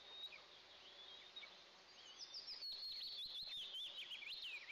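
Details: Two Eastern imperial eaglets in a camera-watched nest at their first breakfast of the day, 29 June 2024. A steady high whistle gives way to rapid, thin chirps that rise and fall in quick succession.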